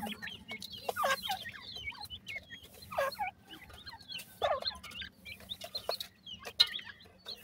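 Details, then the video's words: Young grey francolins giving a steady stream of high, thin chirps from several birds at once, short upslurred and downslurred peeps mixed with scratchy rustling bursts. "bhoray teetar k bachay,pheasant bird chicks ki voice,partridge babies"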